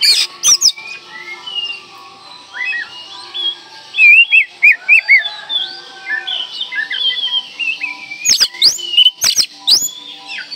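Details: Magpie-robin song meant to stir silent birds: varied whistled phrases, sliding notes and sharp high strokes, loud clustered notes near the end, with a low steady background hum.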